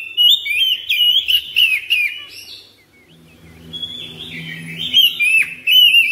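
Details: Home-kept white-rumped shama singing in a daily therapy session, loud clear whistled phrases around mid-high pitch with rapid slurred notes and sharp upper chips, bursts separated by a quieter gap, faint low hum beneath.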